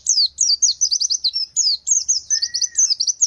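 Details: White-eye, or pleci, billed as a gacor fighter singer used to draw other birds into song, pours out a fast, continuous run of high, thin, downslurred chirps and trills. A brief lower whistle sounds midway.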